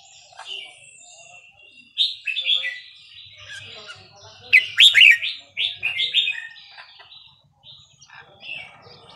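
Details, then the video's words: Red-whiskered bulbul singing the Burmese 3-4-5-6 style for training young birds: after a quiet opening, a series of rich whistled phrases rises to a loud bubbling climax mid-way, then softer scattered notes. "นกกรงหัวจุกเพลงถิ่นพม่า 3-4-5-6 เปิดสอนลูกนก ยั้วนกฟังนกคึก"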